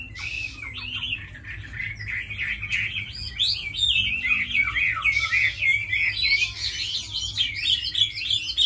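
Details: Tame hwamei, praised as a strong fighter and fine singer, delivers a continuous, fast warbling song of rich whistled notes that twist and trill without pause, growing louder toward the end.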